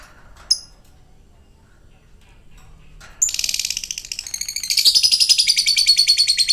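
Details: After a single sharp chirp and a few quiet seconds, a lovebird bursts into ngekek: fast, high, buzzy chattering that grows louder and more regular toward the end.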